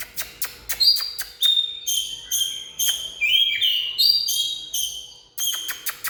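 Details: Oriental magpie-robin song: varied clear whistled notes mixed with sharp clicking ticks throughout, phrases coming in bursts about every half second to a second.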